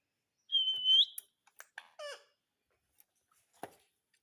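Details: A pet rose-ringed parakeet indoors gives a high, sustained whistled note followed by a few short clicks and a brief harsh chattering phrase.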